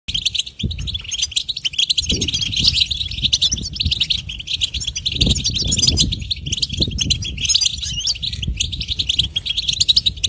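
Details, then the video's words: Goldfinch song: a sweet, intricate and unbroken stream of fast, high twittering notes with trills and buzzy chirps that runs through the whole passage. Low thumps and rumbling sound underneath. "Goldfinch: A Bird of Beauty and Song"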